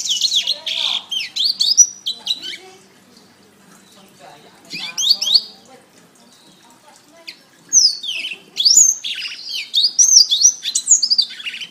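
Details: Canary song used as a training master for songbirds: bursts of rapid high warbled and swept notes, a pause near the middle with a faint short burst, then a long run of looping trills and chirps.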